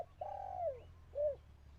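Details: Caged decoy dove in Thailand calling to lure wild doves, which fell silent and fled: a long, level, hoarse coo that dips at its end, then a short arched coo, over low steady rumble.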